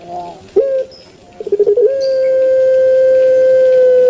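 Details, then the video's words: A pet turtle dove of the puter pelung type calls: a soft opening coo and a rapid stutter of gurgling notes, then a long, level, thick coo held steadily for over two seconds and still sounding at the end. "𝙋𝙐𝙏𝙀𝙍 𝙋𝙀𝙇𝙐𝙉𝙂 𝙎𝙐𝘼𝙍𝘼 𝘼𝙎𝙇𝙞 𝙋𝘼𝙉𝙅𝘼𝙉𝙂 𝙆𝙒𝙊𝙆 𝙏𝙀𝘽𝘼𝙇"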